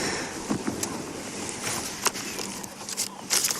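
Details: On an evening drive at sunset, a vehicle rumbles under scattered sharp knocks and clicks, with no animal calls audible.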